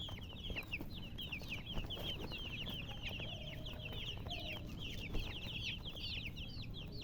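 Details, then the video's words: A group of chicken chicks keeps up a busy stream of thin, high, descending cheeps, tightly packed and unbroken, over steady low-pitched room noise. "Chicks Chirping"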